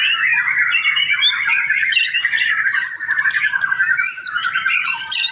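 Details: Young captive male white-rumped shama, called a pastol, in Indonesia, pouring out a continuous fast warbling song with rapid trills and scratchy notes, broken by sharp high whistled sweeps and clicks.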